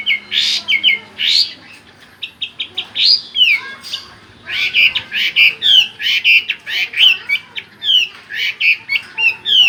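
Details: Chinese hwamei (Garrulax canorus) sings a loud, rolling song of rich whistled phrases, slurred up and down, pouring out almost without pause, over a faint low hum.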